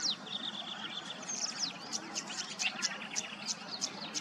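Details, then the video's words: Tawny grassbird calling in a Queensland wetland: a thin high whistle opens, then sharp descending flicks and ticks repeat at an uneven pace over a background of other small birds. "The most pristine sound of the Tawny Grassbird's call"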